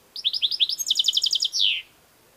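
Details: European goldfinch giving a fast run of bright, ringing notes that speeds into a dense trill and ends in a drawn-out buzzy note falling in pitch.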